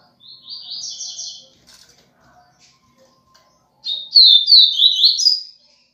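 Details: Double-collared seedeater singing the viviti song style: two fast buzzy-warbled phrases high in pitch, the first short, the second longer and louder with falling and rising chirped notes, separated by a quiet pause.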